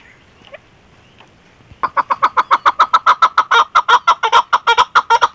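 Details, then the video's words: Female chukar partridge giving calls. Quiet background noise with a few faint notes comes first, then loud, rhythmic, throaty chuk notes start after about two seconds and repeat rapidly and evenly to the end. "keklik sesi chakor birds voice awaz sound"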